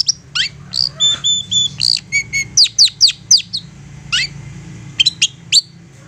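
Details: Persistent long-tailed shrike singing as a provoking lure for other shrikes: clipped notes and a few steady level whistles give way to a quick series of sharp downslurred chips, over a low background hum.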